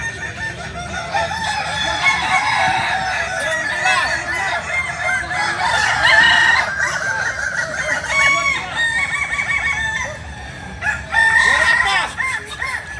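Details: Several Kukuak Balenggek roosters, native chickens from Solok in West Sumatra, crow at once in a dense overlapping chorus of wavering, stepped syllables, rising in loudness near six seconds and again near eleven.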